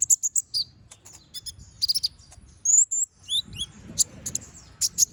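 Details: Brown-throated sunbird in spirited song, a master recording for training other birds: piercing high chips and rapid trills, a thin sustained whistle, then slurred falling notes and a few loud clipped calls.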